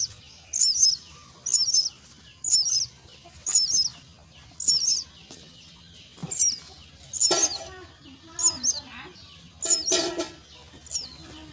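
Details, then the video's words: Myna chicks at a nest beg while being fed: repeated paired high chirps roughly once a second, with a couple of louder broadband clicks or knocks midway. "Feed the myna chicks at nest"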